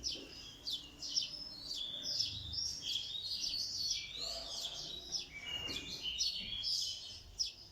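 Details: Birds chirping in the morning, a dense, busy chorus of high twittering and overlapping chirps, several birds calling at once.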